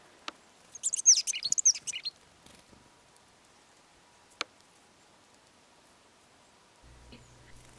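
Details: In early January, a couple of chatty Boreal Chickadees come for seeds scattered on the snow, giving a burst of high, thin chattering notes for about a second, followed by a few sharp clicks and a low rumble.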